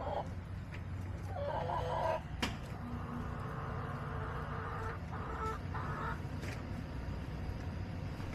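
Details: Hens in a backyard flock, July 17, 2024: soft, scattered clucks and a few brief squawks rise faintly above a constant low rumble, with a sharp knock partway through.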